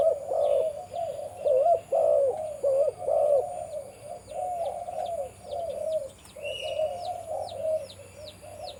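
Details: A farm-kept breeding male spotted dove with a deep voice delivers strong, low, pulsing coos that grow softer, with a high chirp repeated steadily and a short flat whistle midway.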